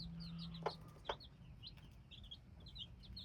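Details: Hybrid chicken chicks with scattered shrill cheeps, each a brief falling whistle, broken by two sharp taps early on, over a faint low hum.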